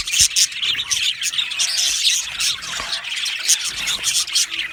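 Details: Many budgerigars in a colony aviary, cheerful chirping: busy overlapping twitters and high squeaks, rising and falling in bursts with short emphatic chips throughout.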